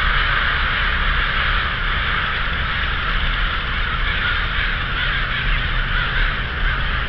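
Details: Massed crows gathered at Davis, countless caws merging into one continuous raucous chorus that holds steady throughout, over a deep background rumble.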